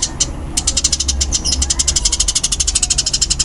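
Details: Eurasian tree sparrow of the fighting type, known locally as burung gereja tarung, giving fast, dense, loud chirps: sharp high notes repeated in a rapid run, with a brief pause near the start and a low background hum.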